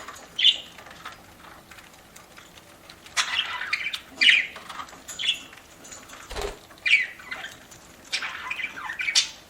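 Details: Eating pet budgerigar making repeated short chirps and squeaky notes throughout, mixed with rustling and a soft thump from feeding.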